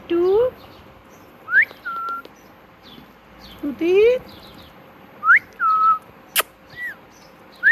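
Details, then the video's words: Pet parrot imitating words. Sparse, separate phrases come several seconds apart: a low rising nasal note, then sharp rising whistles followed by a flat lower tone. One loud click sounds near the end in an otherwise quiet room. "Talking Parrot Mitthu Mitthu"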